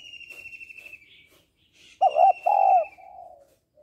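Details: Female spotted dove calling to stimulate males: a loud, low doubled coo in the second half, ending in a softer drawn-out coo. It is preceded by another bird's high, buzzy, falling trill, repeated once more.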